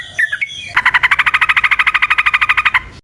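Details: Yellow-vented bulbul in combative, talkative song used to coax caged bulbuls into replying; after a few introductory notes comes a fast, even rattling trill of about twenty-five pulses lasting two seconds.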